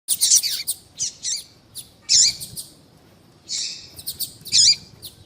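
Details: Female double-collared seedeater calling to stir a male into singing: short, high, scratchy chirps in loose clusters with pauses of about a second, some notes sliding downward, over a faint low hum.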